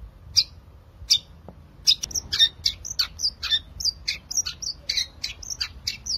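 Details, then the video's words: Long-tailed shrike 'gacor' song for stimulating quiet shrikes to sing: two isolated harsh chirps, then a fast, busy run of varied scratchy and whistled notes packed closely together. "Cendet Gacor Suara Asli untuk Memancing Cendet Malas Bunyi"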